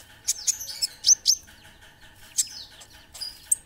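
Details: Olive-backed sunbird, local name kolibri ninja, in song: shrill high chips and short twittering runs, a brief pause, then more sharp, very high notes toward the end.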